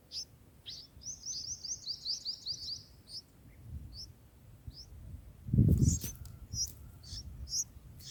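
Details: Bulbul nestlings being fed in the nest on their fourth day, giving a quick series of high, thin chirps in a run near the start, then scattered single squeaks, with rustling and handling noise in the nest.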